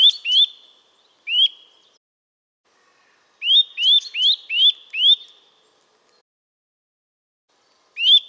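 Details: Eurasian nuthatch delivering a loud series of upslurred whistles, a pair, a single note, then a rapid run of five rising whistles, with another note after a silent gap.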